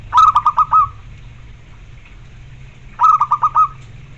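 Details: Zebra dove (perkutut) gives two phrases of five or six quick, staccato coos about three seconds apart, over a faint low hum; used to prompt other perkutut to answer and to train their mental.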